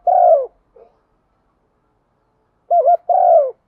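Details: Spotted dove kept as a decoy, calling in the thúc vấy manner. A long falling coo and a soft short note are followed by a full phrase: a quavering double hoot, then a drawn-out descending coo.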